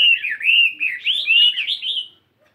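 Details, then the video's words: Chinese hwamei, a caged 72-gram fighting bird, singing in morning practice: one smooth continuous whistled phrase of wavering notes gently rising, ending abruptly. "Tiếng Chim Hoạ Mi Chiến 72gam Hót Đảo Giọng Rất Hay."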